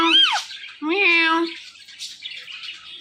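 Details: Indian ringneck parakeet talking: two nasal, voice-like syllables with rich harmonics, the first rising and falling and the second drawn out for about half a second, then fainter scratchy chatter fading in the background.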